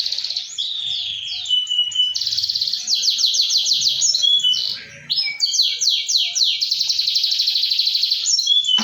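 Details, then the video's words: Canary song meant to coax a silent canary into singing: varied tours of swept whistles, rapid buzzy rolls, a short pause, then more sweeping slurred notes and long rattling trills, faint low knocks beneath. "Pancingan kenari mandek"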